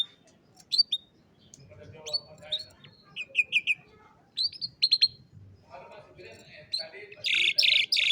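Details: Young canaries during song training, recorded on a cellphone: scattered short chirps and rising whistled notes separated by pauses, ending in a louder burst of dense, buzzy high notes.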